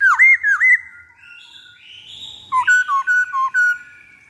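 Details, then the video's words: Black-throated laughingthrush lure song: three loud looped whistles, soft rising tones, then five quick stepped whistled notes. "Pancingan Poksay Hongkong Paling Ampuh"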